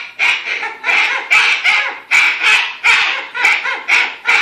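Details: A pet umbrella cockatoo freaking out over a cockatoo stuffed animal gives harsh, raspy screeches in a rapid series, about two each second, loud and grating with no other sounds.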